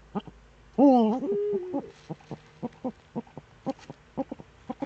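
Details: Eurasian eagle-owl, Eifel, Germany, 26 September 2013, around seven in the morning: a strident, harmonic-rich cry dipping in pitch, followed by a steadier held tone, then a long series of brief, low, evenly scattered clicky notes.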